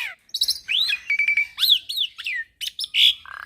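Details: Javan pied starling, a young captive bird used as a singing model, delivering a rich mix of arched whistled slurs, a held whistle, chirps and a short harsh note, densely packed phrases.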